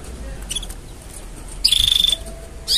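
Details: Singing canary, mating sounds: faint chirps, then a loud half-second run of fast even pulses at one pitch, a pause, and a rising note starting at the end.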